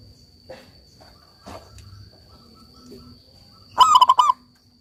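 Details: Local zebra dove singing to prompt other doves to resume their song. Scattered soft knocks and background sounds lead into one loud, fast-pulsed rolling coo near the end.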